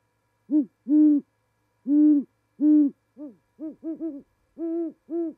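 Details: A great horned owl pair at a winter osprey nest in Charlo, Montana, in January 2019 during mating season trade deep, soft duet hoots. Long resonant notes are broken by quick stuttered triplets, about ten hoots in five seconds.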